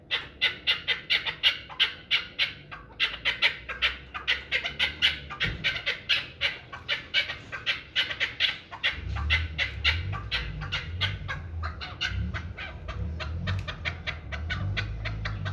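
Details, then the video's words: Rapid, dense run of sharp chuck notes from a one-year-old hybrid chukar kept for fighting and hunting. The notes tumble quickly for about nine seconds, then a low rumbling noise comes in underneath. "Кабки Гибрид"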